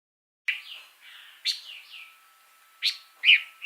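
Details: Pancawarna bird singing actively: slurred whistled notes around the upper-middle register, rising and falling, broken by sharp bright accents every second or so, over a quiet background with a faint steady tone.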